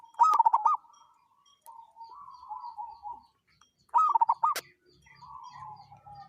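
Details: Local wild zebra dove calling oddly: two loud phrases of rapid, rolling cooing notes about four seconds apart, each followed by a softer, wavering level whistled tone, with a sharp click in the second phrase.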